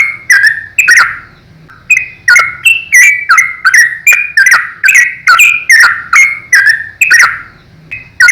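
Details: Rapid 'ropel' song of a lively yellow-vented bulbul, meant as a master recording for young birds: a long run of liquid, slurred whistles that dip and rise, closely spaced with crisp clicking onsets, with a steady low hum behind.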